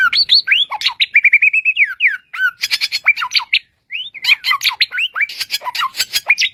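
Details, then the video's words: A bushlark sings a fast, varied run of whistled slurs, rising and falling notes, and sharp chirps with scratchy bursts, broken by one brief pause. "burung ini memiliki 1001 suara asli"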